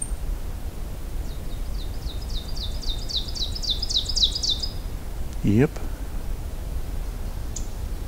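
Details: An Ovenbird, in a boggy fen and wetland area on a May morning trail hike, gives about ten rapid, ringing two-note 'teacher' phrases that build in crescendo. A brief human voice and a low steady rumble follow, and a Black-throated Green Warbler is ticking nearby.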